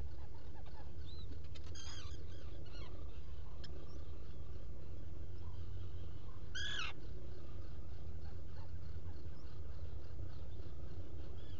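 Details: Two short bursts of thin, high, wavering whistles from a black guillemot, about five seconds apart, over a steady low rumble, recorded by a nest-burrow camera among rock crevices at Seal Island NWR, Maine, on 5 July 2018 around early morning.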